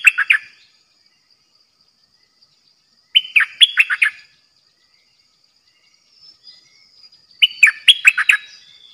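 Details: Caged decoy bulbul used to lure birds delivers three rapid phrases of chirping, whistled notes, separated by gaps of about three seconds, in a quiet setting.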